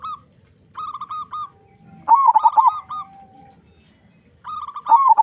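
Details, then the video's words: Local zebra dove with a big voice, singing readily, meant to prompt other doves to sing: even cooing notes, then a loud tumbling burst of hooked coos, and another burst at the close. "Perkutut Lokal Gacor Suara Besar Pancingan Burung Perkutut Agar Cepat Bunyi"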